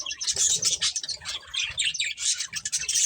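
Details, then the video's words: A group of colourful budgies eating while they chatter: rapid, high, squawky chirps overlap without pause, and muffled low tapping sounds come through beneath. "Colourful Budgies Chirping Sounds"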